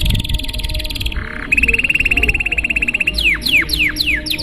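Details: Canary song in a long, fancy style meant to draw other canaries into singing: a high rattling roll, a brief low buzz, a long even trill, then several sharply falling whistled notes.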